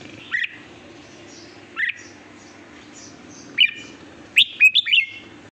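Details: Red-whiskered bulbul song: three separate rising whistles spaced over a few seconds, then a rapid sweet phrase of four descending notes, with a light hum underneath.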